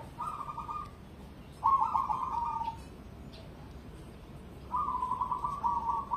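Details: ['Three rolling, trilled cooing phrases from a competition-grade cemani zebra dove, the last one long and evenly pulsed, with quiet gaps between them.']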